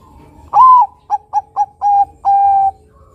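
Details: Zebra dove, a Bangkok and local crossbreed, singing actively, used to draw other doves into song: one long mellow coo, four short clipped coos, then a long level coo ending the phrase.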